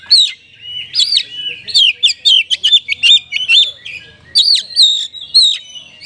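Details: Caged Oriental magpie-robin in rich song intended to spur dull caged birds to sing, pouring out loud, varied whistled phrases with sharp rising and falling notes and short pauses.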